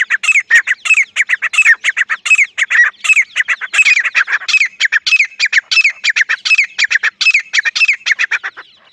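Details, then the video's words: Grey francolin (teetar), a local desi bird, calling in a loud, continuous run of harsh, ringing notes repeated several times a second for nine seconds, fading slightly at the end. "Desi gery francolin partridge love💞 teetar ki zabardasth sound effect"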